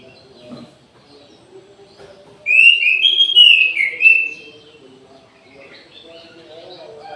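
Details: Midday song of an orange-headed thrush kept in an aviary: one bright, loud phrase of quick slurred whistles rising and falling, set against quiet background with faint low murmurs.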